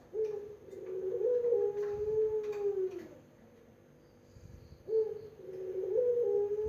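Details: Barbary dove of the puter pelung type giving a melodious cooing: a drawn-out low coo about three seconds long, rising slightly then holding steady before dropping away, then after a pause a second coo begins in the same pattern.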